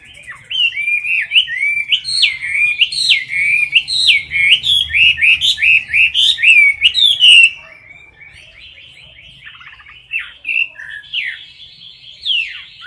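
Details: Chinese hwamei in a cage, singing deafeningly with tail raised after a light hiss, in competition style: a fast run of varied rising and falling whistles for several seconds, then sparser, quieter notes with pauses.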